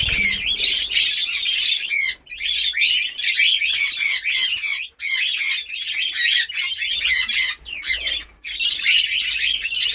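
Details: Newly set-up budgerigar breeding colony in Darbhanga, Bihar, at breeding time: rapid, high, warbling chirps from many birds in dense runs, broken by several short pauses over ten seconds.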